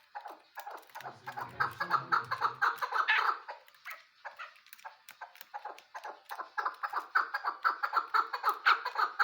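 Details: Chukar partridge hunting-lure calls: rapid, throaty chuck notes pulsing almost twice a second, a brief low rumble near the start, a short pause midway, then the clucking series resumes and builds.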